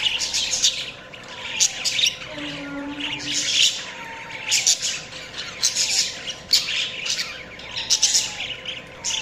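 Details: A group of budgerigars keeps up continuous high, twittering chatter in rapid pulses, with short slurred whistles and a brief low steady tone near the middle, against a faint background hum.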